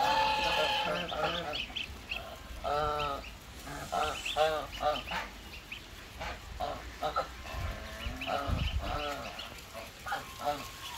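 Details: Goslings making a rapid series of short, harmonic, repeated peeping notes, loud at first and then softer, with low thumps and some voices in the background.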